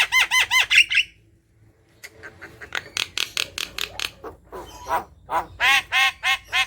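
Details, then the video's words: Talkative Javan myna singing to stir other mynas to sing: a quick run of six nasal arched notes, a brief pause, then a burst of harsh rasping calls and more ringing nasal notes in steady succession. "Jalak kebo gacor | pancingan jalak kebo malas bunyi"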